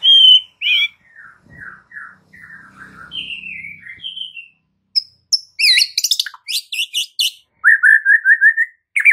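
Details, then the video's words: White-rumped shama (murai batu) masteran song used to prompt other shamas to respond: loud varied whistles, a run of descending slurred notes, then sharp buzzy bursts and a rapid series of repeated whistled notes near the end. "AUTO RESPON MURAI BATU ANDA DENGAR MASTERAN MURAI BATU SATU INI"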